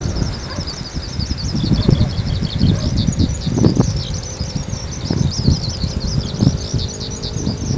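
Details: Eurasian skylark singing steadily high overhead after flying up from a field in the evening; a continuous rapid, high, twittering warble and trill runs without pause, over loud low rumbling wind or handling noise.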